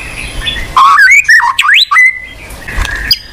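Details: White-rumped shama song used to prompt a silent bird to sing: loud, clear whistled notes sliding up and down, with quick rising and falling phrases and a few sharp high notes, over a soft background hiss.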